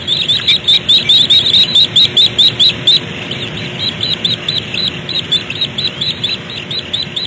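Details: Barn owl owlets begging: a rapid series of short, high, hissy-raspy notes, about two per second, loud for three seconds, then softer repeated notes continuing to the end.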